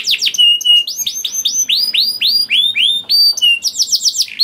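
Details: Canary singing as a lure for other canaries to join in; loud descending whistled sweeps repeated roughly four per second, interspersed with short flat whistles and a quick closing flourish.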